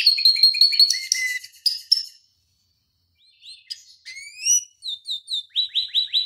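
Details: Canary tutor song: chattering notes and short whistles, a quiet gap, then spaced rising chirps and repeated downward-sliding notes roughly twice a second.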